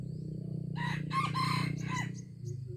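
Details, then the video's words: Aceh junglefowl crowing, 25 April 2020: a hoarse four-part crow of clipped opening notes and a longer drawn middle, set against a loud droning low background and faint insect buzz. "Ayam Hutan Aceh"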